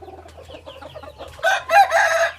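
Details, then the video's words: Low chirping calls from other birds lead into a hybrid junglefowl rooster's crow: a short rising start, then a long, loud harmonic stretch. "Qaib qus txuam zoo nraug thiab qua tau zoo tshaj plaws ไก่ป่าลูกผสมเสียงขันดีมากๆ เสียงขันอมตะ"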